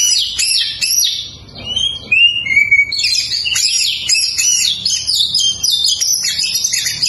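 An Oriental magpie-robin pours out a rich, varied song of high sweet whistles, slurred notes and quick chattering trills, with no pause.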